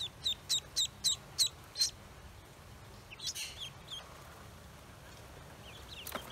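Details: Six clear, evenly spaced high peeps from newly hatched Pekin ducklings on a farm open the recording, then fainter scattered chirps follow over a low background hiss.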